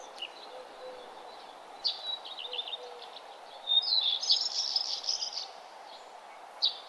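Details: Sunrise birdsong on a nature trail; scattered high chirps, then a fast jumbled twittering phrase around the middle, with a sharp note near the end and a low steady background hiss.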